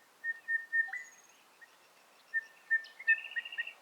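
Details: Male crested bellbird near Uluru in Australia's hot desert Red Centre, giving its far-reaching melodious call: clear even whistled notes, a pause, then ringing notes ending in a quick higher bubbling flourish.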